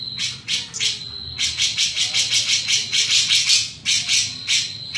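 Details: Grey-cheeked bulbul delivering lively "mbeset-mbeset" song: a long run of rough, buzzy rasps at an uneven quick pace, with a faint steady high whine beneath.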